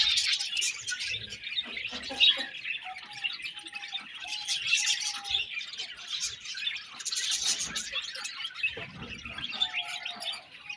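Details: Budgerigars chirping in a continuous, dense chatter of high twittering notes, with a faint low steady tone running underneath.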